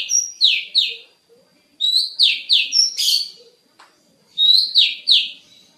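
Oriental magpie-robin singing loud, clear whistled phrases of two to four repeated slurred notes, about three per second, broken by short pauses.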